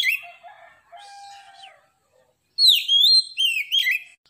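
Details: White-rumped shama (kacer) singing loudly and nonstop: softer warbled and buzzy notes at first, then after a short silence a bright burst of rising and falling slurred whistles with rapid high chips.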